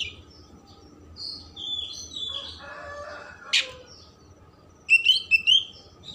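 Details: Oriental magpie-robin song used to stimulate emotion and tail opening: bright whistled phrases at the start, a quieter rough passage, then a sharp note and a loud burst of varied whistles at the end, over a low steady hum.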